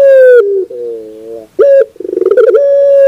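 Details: Barbary dove coo used as a training recording for birds: a long, steady, clear tone that sinks slightly, a lower buzzy rolling stretch, then a sharp short note and another sustained ringing coo. No other sounds.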